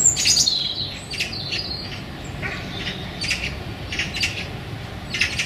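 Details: Eurasian magpie in a small London park, one of a pair, the female apparently begging for the male's attention: harsh, squeaky begging calls in irregular bursts, several a second at times, scratchy high notes over a low rumble.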